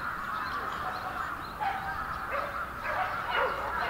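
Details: A massed flock of wintering bramblings at Yoyogi Park, Tokyo, February 2019: constant chattering chorus, with a few lower, harsher calls rising above it toward the end.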